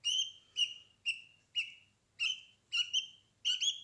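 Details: Young budgerigar chicks in a nest box with their mother, eyes just opened: a series of seven clear, high rasping chirps with a steady tone, about two per second, separated by short silences.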